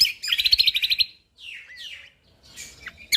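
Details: Lombok white-eye in full chattering song, meant to set other birds singing: a fast burst of roughly a dozen bright repeated notes opens, followed by softer slurred whistles and a sharp final chirp.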